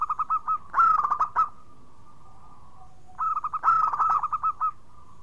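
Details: Local zebra dove in active song, a lure to prompt other doves that have stopped singing. Two phrases, each a rapid string of crisp, hooked cooing notes swelling into a loud rolling flourish, then a faint sustained tone.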